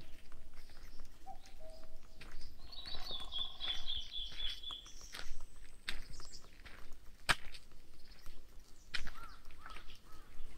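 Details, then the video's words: Mountain birds singing in a mountain forest in Korea: a thin, high trilled phrase repeated over a few seconds, with softer chirps, footsteps, and sharp clicks and knocks throughout. "Mountain birds singing in mountain forests in Korea"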